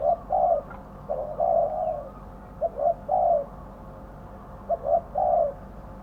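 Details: Lure spotted dove at a trap pen repeating its coo: two quick low notes then a longer, slightly falling coo, three phrases in succession, with a faint constant hum behind.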